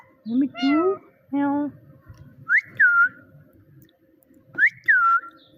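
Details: Pet parrot imitating a cat: two drawn-out, nasal meow syllables, the first rising, then after a pause two bright whistled notes that jump up and glide down.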